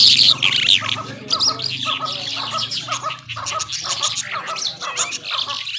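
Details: Irani Mashadi jhal skylark singing: a loud opening whistled phrase, then continuous softer twittering and buzzy chatter, over a steady low humming drone.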